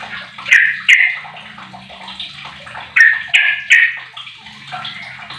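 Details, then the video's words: Song of a sooty-headed bulbul aged 15, used to lure other bulbuls into singing: loud slurred whistles in pairs and threes separated by quieter chatter, with sharp clicks and a low background hum. "Trucuk Apapun 100 persen gacor dengan pancingan trucuk umur 15th ni"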